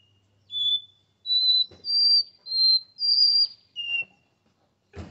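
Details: Capped seedeater in a cage in São Paulo, Brazil, singing Porta-voz song: about six steady whistles climbing in pitch then dropping to a lower final note, with light knocking at the end.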